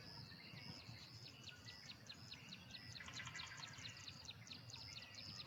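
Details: Male Carolina wren singing loudly from a perch, a territorial declaration in its 'teakettle-teakettle-teakettle' style. Ringing, high phrases repeat rapidly in a steady rolling series throughout, with a low rumble of background noise.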